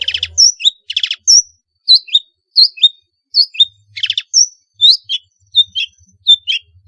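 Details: Long-tailed shrike in lively song with varied inserted phrases, played to stir quiet shrikes into singing: sharp chip notes with downslurred twists repeat at an uneven rhythm, broken by brief scratchy bursts.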